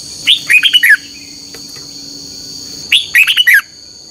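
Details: Lure song of a red-whiskered bulbul for morning singing contests; two lively phrases of five or six chirpy, tumbling notes separated by about two seconds, with a faint click between them and a constant high hum.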